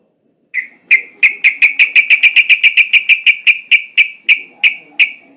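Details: Sooty-headed bulbul recorded as a lure (pancingan) to prompt other bulbuls to sing. A fast, even series of about eighteen sharp, ringing notes runs for nearly five seconds and slows slightly toward the end, over a quiet background.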